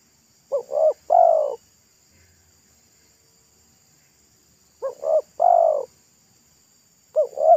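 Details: Spotted dove of local stock, heard beside a road while being lured, voice thick and loud like pesom song: three-part phrases of two quick coos and a drawn final note, separated by long silent gaps.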